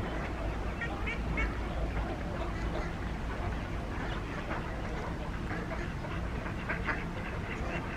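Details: Ducks on Diss Mere, 30 July 2022, quack in a busy, overlapping chorus of short nasal calls over a steady low rumble, possibly traffic or wind, with faint voices in the background.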